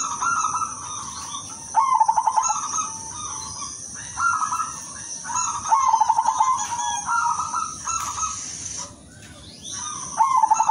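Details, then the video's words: Zebra dove of the silver variety giving a sweet, repeated song: short bursts of rapid clicking pulses break into rolling, purring coos, phrase after phrase with brief pauses. A steady high electronic-like whine continues underneath. "PERKUTUT SILVER SUARA MERDU"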